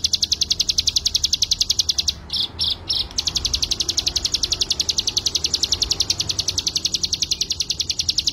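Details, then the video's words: Mountain white-eye, locally called cigun or ciblek gunung, song used as a master recording for training cage birds: rapid, even chain of high, sharp chipping notes about three or four per second, briefly broken by a few choppy notes midway. "CIGUN ( CIBLEK GUNUNG ) MASTERAN BURUNG"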